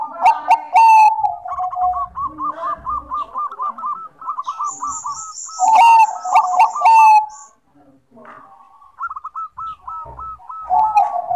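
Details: Energetic Bangkok zebra dove song, long trains of rapid soft coo notes rolling at steady pitch, broken by loud harsh chirps and a high metallic twitter from other birds.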